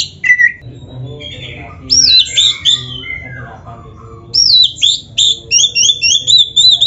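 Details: Oriental magpie-robin singing a varied, mimicry-filled song meant to provoke caged birds: scattered whistled and slurred notes, then a rapid train of clear, up-and-down whistled syllables.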